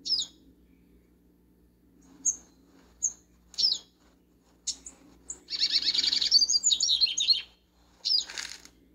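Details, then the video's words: In a backyard, a double-collared seedeater gives clipped high chirps at irregular intervals, then bursts into a long, fast, twittering warble of about two seconds before a final sharp note. "Papacapim no quintal"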